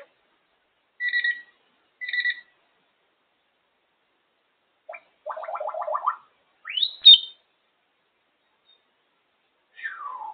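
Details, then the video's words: Female African grey parrot perched on top of her cage, producing two paired high whistled chirps, a clicking stutter, a rising squeaky phrase and a falling whistle, separated by silences. "African grey parrot really talking away on top of her cage"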